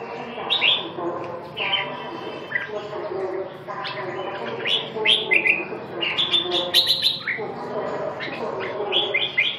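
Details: Red-whiskered bulbul (chào mào) delivering a lively series of warbled, whistled phrases, with several rising slurs and quick chirps packed closely together. A low background drone continues throughout.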